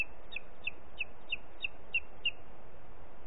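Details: Booted eagle in Ports Natural Park, recorded 4 July 2021 at 13:39: a rapid series of short, high, clipped whistled notes, about three per second, over steady low rumbling background noise.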